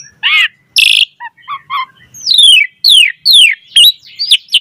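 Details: Black-collared starling singing a mimicry-filled song meant to get other starlings singing: harsh squeaky notes and short chirps, then a series of loud downslurred whistles with a rising, twanging ending.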